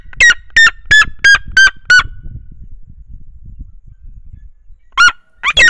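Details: Red-legged Seriema mother singing from her nest with a young chick of a few days; six loud, harsh yelping notes in a fast regular series, a pause, then two more yelps.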